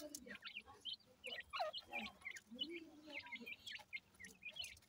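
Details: Partridge chicks feeding in the morning, giving a busy chorus of short, high, overlapping chirps and peeps, with softer, lower calls underneath.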